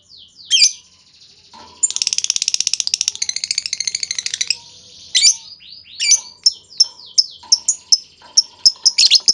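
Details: Lovebird lure song, meant to set other lovebirds chattering in reply: sharp sweeping chirps, then a long, rapid, buzzy trill lasting over two seconds, followed by a series of clipped squeaky notes.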